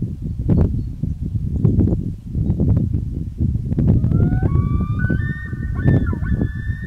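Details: A common loon (Gavia immer) on Big Donahue Lake gives a long, clear, mournful call that rises and steps higher in the second half, over steady low rumbling wind or water noise.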